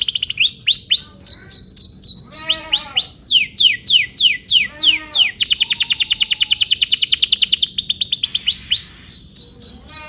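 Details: Singing canary on a tutor track meant to teach young birds: fast repeated down-slurred notes alternate with a long dense buzzing trill and broader rolling phrases, rhythm steady and bright throughout.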